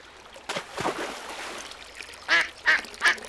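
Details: Ducks on a pond: after some faint rustling, three loud, nasal quacks come in quick succession near the end.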